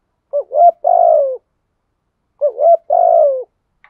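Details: Lure spotted dove calling to provoke wild doves: two cooing phrases about two seconds apart, each a short dipping note, a brief upward note, then a long, steady, slightly falling coo. The background is silent.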